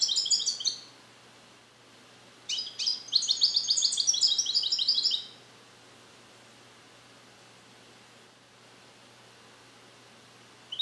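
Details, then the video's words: Captive-bred male European goldfinch born in 2021 in the USA, trained on Neapolitan song passages and just starting to repeat them, kept alone in a carrier indoors: two bursts of rapid high twittering and trills, the second longer, with silence between. "Cardellino Passata Napoletana 2021 - European Goldfinch - Jilguero cante limpio"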